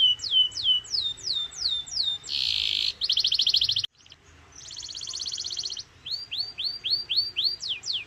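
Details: Canary song at full power, used to prompt other canaries to sing: a run of descending whistled sweeps, buzzy dense bursts and a fast trill, an abrupt break, then more trilling and rising whistled notes.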